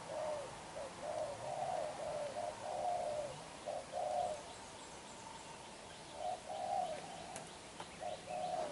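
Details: Spotted dove, a young black-eyed bird, in vigorous bowing coo. A dense run of low coos is followed by a quiet pause, then a few more coos resume near the end.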